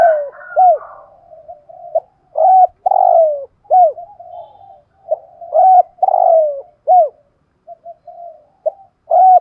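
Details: Spotted dove kept as a decoy bird, 'giọng thổ' voice, giving its cooing call: low mellow phrases of clipped rising-falling notes and one long slurred descending coo, about three phrase groups with soft hum between.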